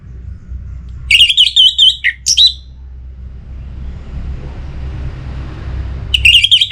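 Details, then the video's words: An orange-headed thrush in breeding condition, caged and calling a rival. It gives a jumbled rapid warble of buzzy whistles, then a short slurred note. A long gap follows with hiss and low rumble, then a final burst of song. "ANIS MERAH Gacor Pancingan Birahi & EMosi Burung || Kicau memanggil lawan"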